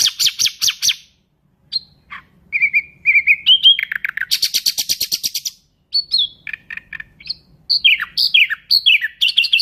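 A nightingale sings varied, high phrases: rapid chattering trills, a dry burst of fast repeated notes, pure drawn-out whistles and quick descending notes, with no other sounds.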